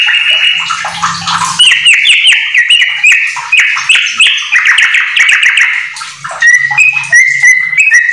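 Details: Yellow-vented bulbul delivering a rapid ropel song with white-rumped shama fillings for tutoring home-kept birds: a fast cascade of loud slurred whistles, then crisp repeated short whistled notes near the end, with a faint low hum.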